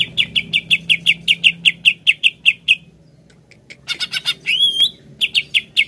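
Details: Greater green leafbird, used to stimulate another to sing, giving a fast series of sharp repeated chip notes about three per second, a brief pause, then a burst with a rising whistled slur and more chips.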